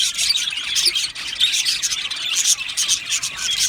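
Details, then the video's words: Many Australian budgerigars in a colony aviary, steady high warbling chatter, with rapid chirps and scratchy trills blending into one continuous wash. "Budgie Chirping Sounds"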